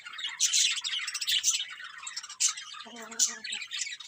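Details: Colourful budgerigars chirping: dense, scratchy warbling chatter with sharp high chirps, busy and continuous, with a brief low nasal harmonic squawk near the end.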